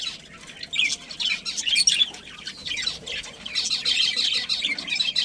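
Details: Several budgerigars in a breeding colony twitter and chirp, producing a dense wash of high scratchy notes that swells in loudness toward the end.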